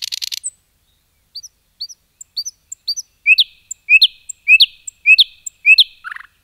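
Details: Forest nightingale song: a brief buzzy burst, then a pause, then soft high upslurred notes building into louder ringing whistles repeated about twice a second, ending on a short lower note.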